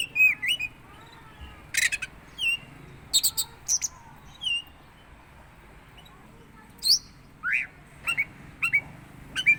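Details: Oriental magpie-robin of the teler type making an unusual, strange-sounding call: scattered short clear whistles and upslurred notes, some sharp high chips, irregularly spaced over several seconds in a quiet setting.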